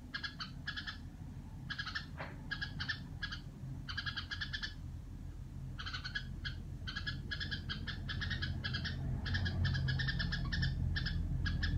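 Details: Red-whiskered bulbul kept by its owner, producing the grating "rò" call in repeated bursts of buzzy nasal notes, about three per second, as a low rumbling noise gradually grows louder.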